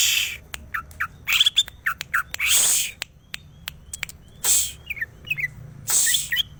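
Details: Greater green leafbird song: short, clear whistled phrases, each note rising or falling, delivered in uneven groups between loud hissing bursts of noise.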